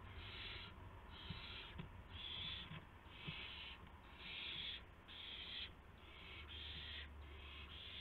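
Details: Owl chicks during night feedings on March 19, 2016, between about midnight and 12:49 AM; rhythmic, breathy screeches in quick succession, about one per second, with a steady low hum beneath.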